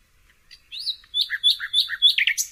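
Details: Nightingale song of short sweeping whistled notes in a steady rhythm, alternating high and lower tones, building to a sharp, louder flourish.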